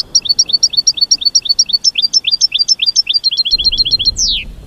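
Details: American goldfinch giving its mating call, a continuous rapid series of high, paired twittering notes ending in a longer falling slur, with a low rumble entering near the end.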